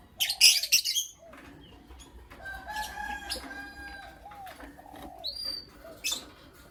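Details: Lovebirds, creamino and lutino opaline, in the morning: a burst of loud, sharp, high chirps at the start, then quieter squeaks with a distant rooster-like crow in the background.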